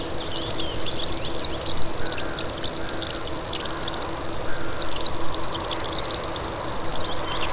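A common grasshopper warbler gives a high, dry, unbroken reel that runs steadily through the whole stretch, like a fishing reel or a cricket. A few faint, lower whistled notes sound midway.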